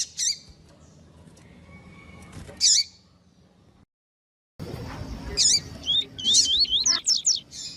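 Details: Female seedeater of the double-collared kind calling to excite a male: a few isolated piercing chirps, a brief silence, then faster runs of high notes and wavy twittering.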